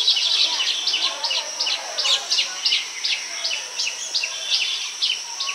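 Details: Baya weavers building nests and attracting females, nesting in tall palm trees in rural Bengal: dense high chattering of quick downward chirps, about three a second, overlapping from several birds, with a steady hiss behind.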